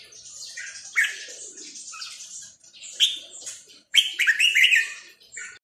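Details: Cage-kept red-whiskered bulbul delivering rough, warbling phrases over a hissy background, with a louder run of quick chattering notes near the end before the sound fades.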